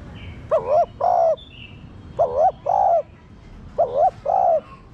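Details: Spotted dove kept in captivity, cooing to rouse other doves: three two-part phrases, a short rippling coo then a longer steady one, repeated about every 1.7 seconds, faint thin chirps in the background.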